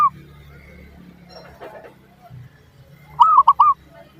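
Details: Zebra dove lure song meant to make other doves respond: one loud phrase of three arched, fluting coo notes near the end, after a low rumbling background with faint murmuring.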